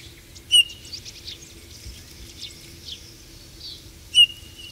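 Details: Eurasian bullfinch: two clear piping whistles about three and a half seconds apart, each opening with a sharp high click before settling into a steady, level tone. Faint twittering and chirps sound in between over a low, constant hum.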